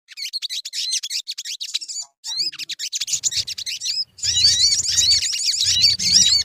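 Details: Sogon, or crimson sunbird, singing as a lure for other birds: fast, high, sharp chirps in an unbroken chattering stream, then a louder stretch of trilled twittering with quick whistled upslurs.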